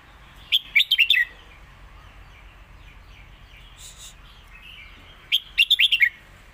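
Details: Caged competition Red-whiskered bulbul from Thailand singing a clear master song, alternated with drawn-out lak wai phrases, used for teaching young birds: two quick phrases of five bright, warbling whistled notes about five seconds apart, with soft chatter between.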